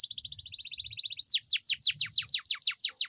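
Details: Canary in full, lively voice, a long rolling song used as a lure to prompt lazy canaries to sing: a fast, high buzzy trill of evenly repeated notes, then a string of sharp downward-sweeping whistles, with faint low background rumble.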